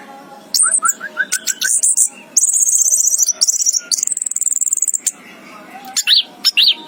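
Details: Anis kembang, the orange-headed thrush, chirping: a series of short rising whistles, then long rapid high buzzy trills and a pair of sharp high notes at the end, over a soft hum.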